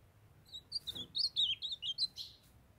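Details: Ultramarine grosbeak song from a young male, with a female calling nearby: a lively run of around twelve short, sweet, slurred whistles in under two seconds, closing on a downward note, with a soft thump early on.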